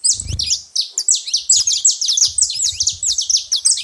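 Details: A busy chorus of saffron finches at a seed feeding spot: loud, dense, rapidly repeated high chirps run without a break. A dull low thump sounds at the start.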